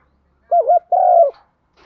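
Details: Spotted dove used as a decoy bird, calling to lure others: a wavering two-note coo, then a longer, steady, slightly buzzy coo, all low and mellow, in a quiet setting.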